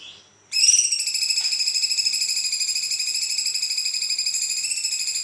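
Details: Long rolling song of a cucak cungkok bulbul, used for prompting other birds to sing: after a brief high note, one sustained, fast-pulsed, buzzy trill runs unbroken for nearly five seconds at steady loudness.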